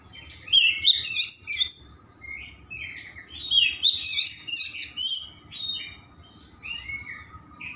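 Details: Varied song of a white-rumped shama, played to stimulate other shamas into singing: quick bursts of rich whistled and chattering phrases, some rising sweeps and trills, with pauses between phrases over a faint steady hum.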